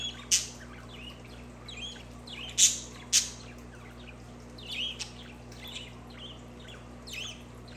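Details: Budgerigars chattering, played for pet budgies: a run of short, bright chirps and twisting warbled notes, some sharp loud clicks among them, over a low steady hum.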